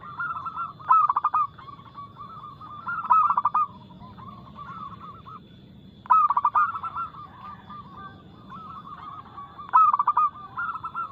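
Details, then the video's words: Local zebra dove in full song, fast notes and a loud, clear crystal voice, used as a lure to stir other birds: four loud stuttering coo bursts, spaced about two to three seconds apart, linked by softer flowing coo sequences. "PERKUTUT LOKAL GACOR Nada cepat Suara keras kristal"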